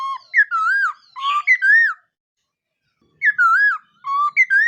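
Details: Morning voice training of a black-throated laughingthrush: two rich phrases of connected, wavy whistles rising and falling, each lasting about two seconds, separated by a brief silence.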